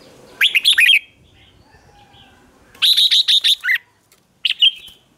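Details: Lure song of a red-whiskered bulbul meant to attract wild birds: three bursts of bright, rapid warbled syllables, the middle phrase longest with about six notes, then a brief closing chirp.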